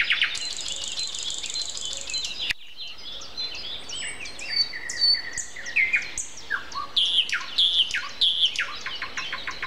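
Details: Early-morning song of a common nightingale with other birds, April 29 at 7:55; a buzzy, rattling high passage gives way after a pause to varied whistles, slurred chirps and quick repeated notes.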